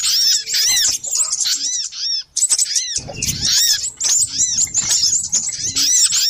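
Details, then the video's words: Little spiderhunter calls for luring birds: rapid, shrill, high arched notes in busy bursts, with a short silence near two seconds and some low rumbling after it. "Suara pikat burung sogok ontong ribut kompilasi"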